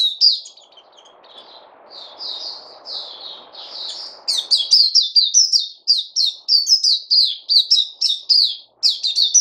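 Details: Captive bird begins with softer warbled notes over a low hum, then bursts into a fast, loud run of crisp, high chirps that continues to the end.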